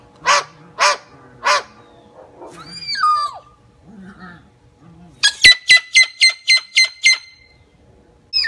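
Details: Moluccan cockatoo showing off: three loud, harsh squawks, then a few falling whistled notes and quieter murmurs, ending in a quick run of eight sharp, evenly spaced tonal calls about four per second.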